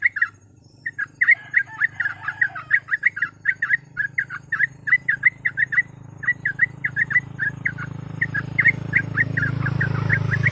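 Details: Fast ropel-style song of a sooty-headed bulbul, kept as a master recording to spur other birds into song: a long run of short, bright, chirpy whistles repeated for about nine seconds, then a rising background rumble.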